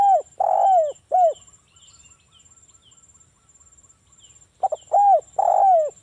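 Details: Lure song of a local spotted dove, used to make other doves call back. There are two hollow, falling coos, a quiet gap of about three seconds, then a fuller phrase of three or four coos. A steady insect trill sounds in the background.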